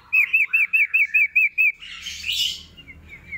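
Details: Lively singing sooty-headed bulbul (sirtu): eight clear, looping chirps in steady rhythm, roughly four each second, followed by a burst of scratchy twittering and soft, short whistled notes.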